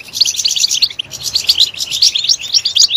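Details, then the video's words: A short burst of European goldfinch song used to stimulate goldfinches, with clear, high, rapidly repeated chirps and liquid twitters in two close phrases. "Stimulating a goldfinch clip to make it chirp in a loud and wonderful voice"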